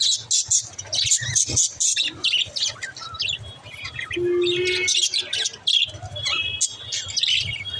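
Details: Budgerigars chirping to prompt lonely budgies to chirp; rapid high chattering and warbled notes, one sustained low buzzy tone midway, faint low hum behind.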